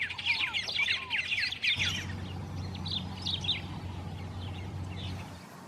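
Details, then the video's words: White-rumped tanager singing in the wild: quick bursts of sweeping chirps and lower slurred notes at first, then fainter scattered chirps over a steady low droning hum. "KICAUAN MAUT "White-Rumped Tanager"BURUNG KICAU.Gacor di alam liar"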